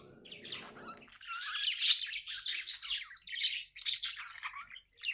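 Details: Pet budgerigar, happy, chirping in quick squeaky bursts about twice a second after a short lower buzzy start.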